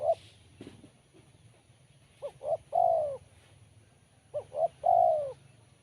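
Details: Crisp, sharp-voiced spotted dove. One coo ends, then two full phrases follow, each two short rising coos and a long, loud coo that drops in pitch, spaced about two seconds apart. A few faint clicks.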